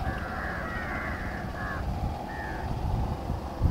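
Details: Large-billed Crow at Sillod, 19 July 2023, giving three hoarse, drawn-out caws, the first long and the next two shorter, over a steady low rumble of distant traffic.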